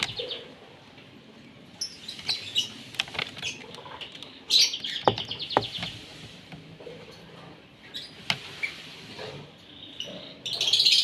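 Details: Asian pied starling (jalak suren) at morning feeding: scattered squeaky chirps and clicks, a louder harsh burst midway and another chattering rise at the end, with some knocking sounds.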